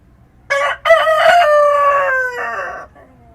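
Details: Countryside rooster at dawn crowing once: a quick harsh opening syllable, then a sustained raspy note that breaks into a lower closing segment before ending, with a hushed rural background.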